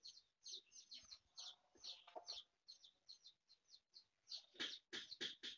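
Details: Foraging mother hen and chicks: busy, uneven high peeping from the chicks with scattered soft, lower clucks, ending in a louder burst of sharp peeps.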